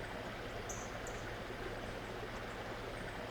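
Steady broadband rushing like flowing water or wind, with only a couple of faint high ticks and no clear animal call.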